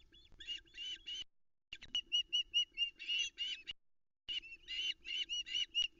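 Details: Osprey female on the Arkaig Community Forest nest, begging from the male after his first trout of the day, 13 July 2020, nest camera; fast strings of high, piercing chirps broken by two short silences, with faint wing flaps.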